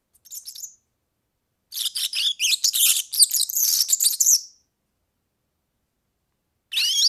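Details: European serin singing, a recording meant for tutoring young birds: after a short opening twitter comes an unbroken stretch of about three seconds of rapid, very high, glittering jingle made of buzzy trills, then a fresh phrase begins.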